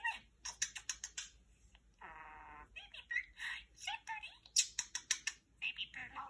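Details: A talking male parakeet repeats some of his favourite phrases indoors: quick bursts of high, scratchy, speech-like chatter, with one sustained buzzy harmonic tone in the middle and brief clicks between phrases.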